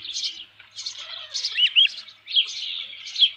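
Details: On 27 June 2018 near 12:48 PM an osprey at the nest with a headless fish utters high, whistled chirps in two groups, each note rising slightly, separated by a short pause.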